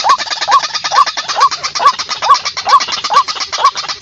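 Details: White-breasted waterhen calling as a lure to pull in far-off birds: a steady series of short, hoarse, upward-bending notes about every half second, half buried under a loud, continuous hiss of background noise.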